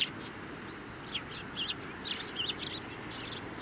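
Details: Sparrows coming to a person's hand for food at a Tenmangu shrine, 9 December 2023; scattered thin, high chirps, a few sharp twittering notes near the middle, over soft background noise.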